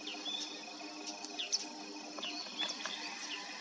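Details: Long-tailed rosefinch, a winter visitor, arriving in groups: short, thin upslurred whistled notes scattered through the clip, some close together, over a steady hiss and a low electrical hum.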